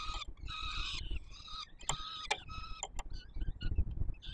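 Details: Peregrine falcon chicks in Warsaw calling while fed, July 2022: a few drawn-out raspy wails broken by sharp clicks and taps, then fading squeaks, with low rumble throughout.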